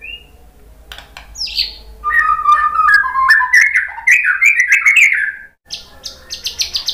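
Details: White-rumped shama song played as a lure to provoke another bird into singing: a high thin whistle, then a varied run of rich warbled phrases rising and falling, ending in bright high repeated notes, with faint low hum beneath.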